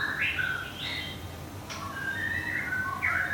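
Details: A caged white-rumped shama in Thung Song, Thailand, with feathers regrowing after a moult, gives soft, fairly distant whistled phrases over a steady background hum, including one sharp click.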